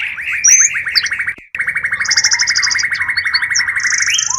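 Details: Used to lure wild birds: a steady, rapidly pulsing trill at mid pitch, briefly cut off, then resuming. Scattered high chirps and a high steady tone sound above it.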